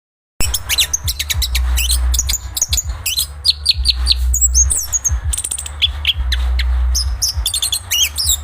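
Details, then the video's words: Chestnut-capped thrush (Zoothera interpres), a songbird of Southeast Asian forests, delivering a busy, fast song of sharp high chirps, slurred whistles and quick trills, over a steady low hum. "anis kembang bang jago"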